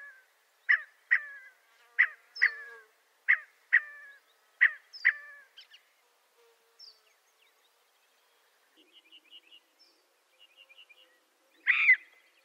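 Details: Scaled quail call series: about ten loud, clipped, nasal notes, often in pairs, over five seconds, then quiet with faint, rapid, ticking notes and one final harsh burst.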